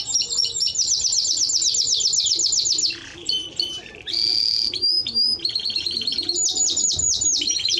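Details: A Timbrado Español canary delivers long runs of evenly repeated rattling notes, a brief softer gap, then renewed rolls and clipped trills changing pitch in steps, sung steadily throughout.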